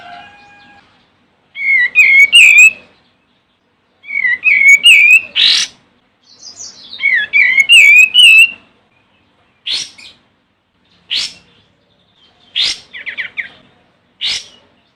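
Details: Olive-winged bulbul calling a rival: three rapid bubbling phrases of rising and falling whistled notes, each about a second long, followed by spaced sharp harsh chips.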